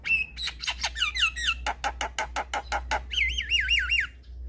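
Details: Black-winged starling song, used to prompt stressed, reluctant starlings to sing. It opens with a steady whistle and harsh modulated phrases, then a run of loud rasping notes about three per second, and ends in a wavering whistled trill.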